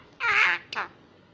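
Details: Young wild common myna in Israel, fallen from its nest and hand-raised, starting to speak Hebrew after six months: two short, harsh, harmonic syllables in quick succession, the first longer and the second clipped, with a quiet background.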